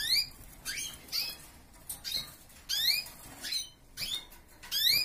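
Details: Canaries in a relative's aviary: bright, short upward-sweeping chirps, each with a sharp high overtone, come in little bursts roughly every half second to second, separated by quiet gaps of soft background rustle.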